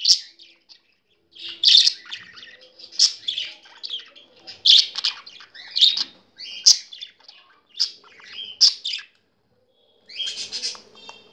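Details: Thrilled hen budgerigar indoors, watching and playing with a laptop showing other budgies: crisp squeaky chirps in short separate bursts, roughly one each second, with brief silences between.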